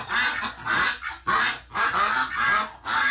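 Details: A flock of ducks reacting after a companion died in hospital, November 30, 2018: loud, hoarse, sustained quacks come in a steady series of about five, with short pauses between them.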